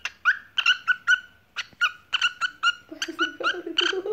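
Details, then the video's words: White lutino parrot singing a cookie cookie song: short clipped whistled syllables repeated rapidly, joined near the end by a lower, rougher chattering voice. "cookie cookie singing bird"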